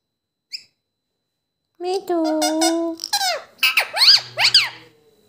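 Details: A tame talking parrot asking for roti: after one tiny chirp, a long level nasal tone, then a fast series of rising-and-falling squeaky syllables that sound like mimicked words, indoors with little else heard.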